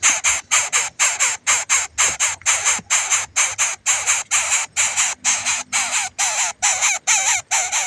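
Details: A hungry chick keeps calling for its parent with loud, grating, buzzy rasps, roughly two per second in a regular run, some later calls carrying a faint wavering tone inside the noise.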